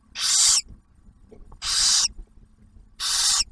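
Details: Barn owl family at a refuge nest near Oak Harbor, Ohio: the male delivers food and the female feeds the first owlet; three strong hissing bursts about half a second long, spaced around 1.3 seconds apart.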